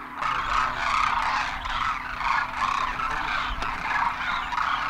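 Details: Migratory Demoiselle cranes (Koonj) arriving by the thousands at a water hole in Khichan, Rajasthan, during winter; loud massed chorus of rolling trumpeted calls overlapping without pause, with low rumbling thuds and a constant low hum.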